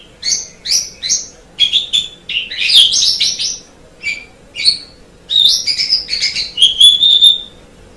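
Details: Javan pied starling delivering a varied song of short chirps, squeaks and whistles in quick bursts, ending with a sustained high whistled trill.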